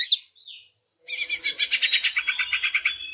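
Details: Greater green leafbird lure song to prompt other leafbirds to sing: a single sharp whistle and faint thin note, a pause, then a rapid pulsing buzzy rattle lasting about two seconds.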